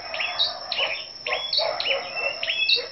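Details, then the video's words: ['Several scarlet-backed flowerpeckers brought together for a morning singing contest on 10 May; sharp, high tsit notes with brief slurred tails, repeated roughly every half second, a steady high-pitched whine running underneath.'] "Chim Sâu Đầu Đỏ Siêng Hót Đấu"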